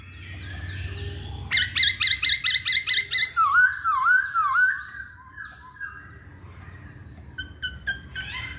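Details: Hwamei song from a caged bird: a rapid series of about eight sharp repeated notes, followed by rolling wavy whistles, then quieter phrases and a few short clipped notes near the end.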